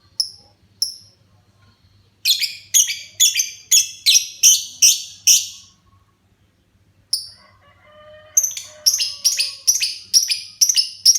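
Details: A family's pet lovebird starting to sing freely: a couple of isolated high chirps, then a fast run of harsh, buzzy notes about three per second. After a pause, a denser scratchy chatter follows over a low background hum.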